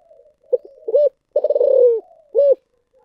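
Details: Spotted dove cooing in the thổ sấm voice style: low, soft opening notes, a hollow rising coo, a long rolling throaty coo falling in pitch, then a final round coo.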